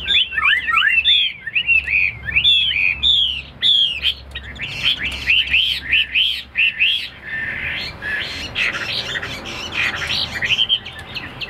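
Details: Tame caged Chinese hwamei repeating rapid downward-swooping whistled notes in fast bursts, then switching to a denser, scratchier warbling passage before returning to clear whistles.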